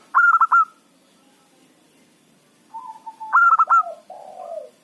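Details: Local zebra dove in lively song, used as a lure for trapping wild birds: loud, clipped staccato notes in quick bursts, then softer low coos and a drawn-out falling coo, with a quiet pause between phrases.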